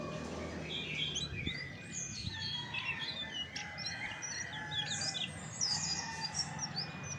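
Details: A chestnut-backed thrush delivers a rambling, high-pitched warble of chirps, trills and slurred whistles in quick succession, backed by a soft low hum.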